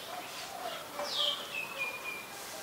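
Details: Common myna (Acridotheres tristis) filmed in Ubon Ratchathani, Thailand, on 15 December 2020 with a Nikon P1000: one strong descending whistle sliding into a long level tone, preceded by softer mixed notes and background hum.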